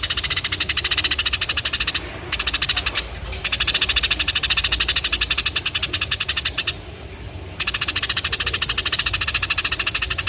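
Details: Sparrows chirping hard in long rapid series of sharp, bright chirps, about three to four each second, broken by short pauses.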